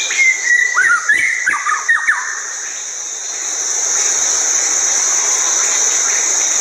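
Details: Wild white-rumped shama giving a short series of sharp, descending whistled notes over a constant high insect drone, which continues alone after the song stops.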